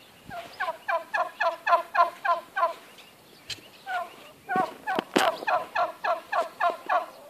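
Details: Turkey at an observatory gobbling: fast, rattling bursts of stacked notes, about three to four per second, in two long runs split by a short pause, with a few knocks and clicks in between.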